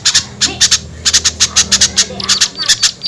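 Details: Separate harsh, high chips spaced roughly every quarter second over a low hum, a calling sound for luring small birds.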